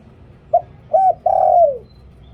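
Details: Spotted dove singing the liu tan pattern for decoying: a short opening coo, an arched middle coo, and a long mellow final coo falling away at its end. A single phrase is heard over faint hum.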